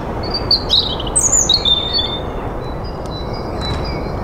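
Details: European robin song in spring: a quick run of thin, high, tinkling notes and trills in the first two seconds, then quieter faint high notes against a soft, constant low hiss.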